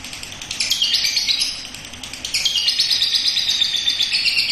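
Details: Young lovebird performing the ngekek song on a home terrace. The chatter is continuous, high and buzzy, swells twice in loudness and never pauses.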